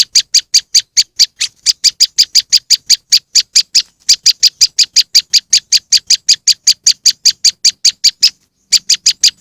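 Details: Moss wren song used as a bird lure: a fast, steady series of identical high, sharp chip notes, about two to three each second, with two brief gaps in the run; no other sounds.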